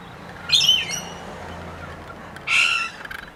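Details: Rainbow lorikeets visiting a feeding tray in Queensland, Australia: two loud, harsh screeching squawks about two seconds apart over faint background murmur.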